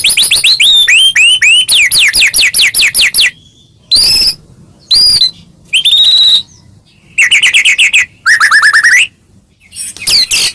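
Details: White-rumped shama with a varied, filled-in song, used to provoke other shamas: quick rows of rising whistles, then separate clear whistled phrases and trilled notes between short silences.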